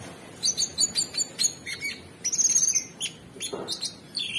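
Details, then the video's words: Orange-bellied Leafbird, known locally as cucak cungkok, in full gacor song: quick high chips and whistles, a fast buzzy run of repeated notes mid-phrase, then downward slurs and scratchy trills. "Cucak Cungkok Super gacor"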